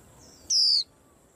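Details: One lone high whistle from a white-eye kept on a cage stand, drawn out for about a third of a second and dropping slightly at the end, standing clear against a quiet background.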